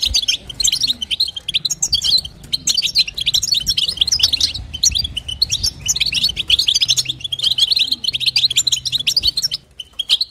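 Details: European goldfinch female calling to rouse the male, long run of rapid twittering phrases, bright and high, in waves separated by brief breaks, soft humming in the background.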